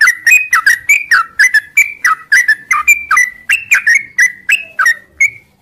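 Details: Yellow-vented bulbul singing in the morning: a steady run of short, bright whistled notes, each sliding up or down, repeated about every quarter second in a lively chattering phrase.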